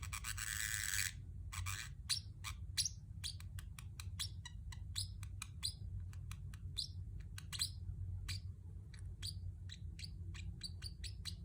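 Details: Pacific parrotlet kept as a pet, opening with a harsh raspy squawk, then a long string of quick, high, clipped chirps spaced irregularly over a low background hum.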